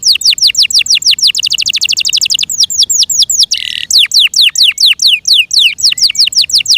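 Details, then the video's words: Yorkshire canary in song, with steady strings of sharp downward-sweeping whistles at a fast pace, a rapid trill in the middle, and a brief harsh burst before the sweeps resume. "THE BEAUTIFUL SOUND OF FI YORKSHIRE CANARIES THAT MAKES OUR HEARTS SO HAPPY"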